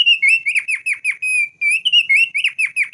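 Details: A thick-billed white-eye, endemic to Sumbawa and Flores and popular with bird keepers, delivers a fast, steady series of bright, high chirping notes, roughly five per second, with brief sustained whistles between.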